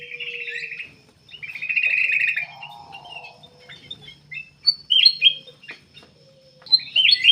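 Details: Persistently singing black-capped bulbul, used to lure other birds into song: a sustained rattling trill, a low buzz, then scattered sharp whistled notes and a rising flourish at the end.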